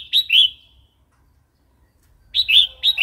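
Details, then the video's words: Red-whiskered bulbul singing wild-style song, played to train young and wild-caught birds; a short phrase of bright, liquid warbled notes, a long pause, then another three-note rising-falling phrase, with a faint low rumble beneath. "เสียงนกกรงหัวจุก เพลงป่า"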